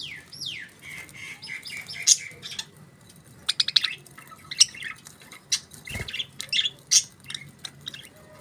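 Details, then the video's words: Budgerigars chirping: dense bursts of buzzy, scratchy chirps and warbles, with a few rising whistled notes at the start, sharp clicks and brief squawks following one another in quick uneven runs. "Budgies Beautiful Chirping Sounds"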